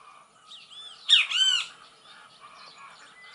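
A great kiskadee gives a brief, loud burst of two or three harsh, nasal, arching notes. Faint chirps of other birds sound behind it.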